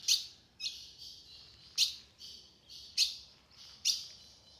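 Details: Female ultramarine grosbeak calling in the sertão to warm up a male's song: four loud sharp chips spaced about a second apart, joined by drawn-out buzzy, hissing high notes.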